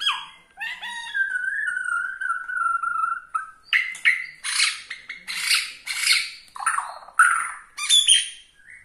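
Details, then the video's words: Borneo white-rumped shama singing to rile up other shamas: a long wavering whistled note, then a string of loud harsh chattering bursts repeated about every half second. "gaya murai BORNEO bikin murai lain Naik darah"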